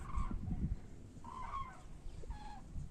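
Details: Migrating common cranes returning to Europe: three separate trumpeting calls, sometimes wavering, are spaced about a second apart over low thumping and rumbling noise.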